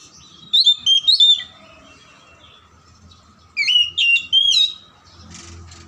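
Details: Captive oriental magpie-robin (kacer) song, played to rouse silent or lazy birds into singing: two bursts of loud, rich whistled phrases with quick slurred notes, separated by a pause, over a steady faint background tone.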